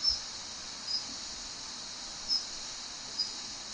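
A female Daurian redstart gives four thin, high whistled notes at irregular intervals, about one every second, over a steady high insect-like hiss.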